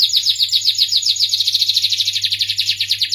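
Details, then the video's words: Starblue canary pouring out a sweet, rapid high trill of repeated short chirped notes, steady and rolling throughout, with a faint low hum behind. "suara merdu kenari starblue"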